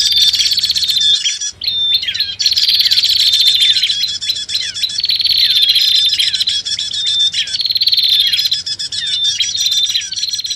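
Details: Bar-winged prinia and common iora lure combination: long bursts of dry, buzzy chattering and sharp chirps, separated by brief breaks, with faint whistles underneath.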